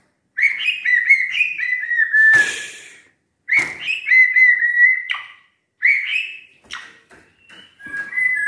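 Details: Home-kept white-rumped shama that has never competed, delivering three separated bursts of rich whistled song, each with quick ringing notes and slurred whistles, plus a sharp harsh note in the first burst.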